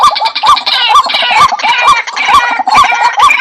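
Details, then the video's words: White-breasted waterhen calling in a fast, even series of short, hoarse notes with an upturned hook, roughly two each second, over a busier, brighter hiss. "suara burung ruak"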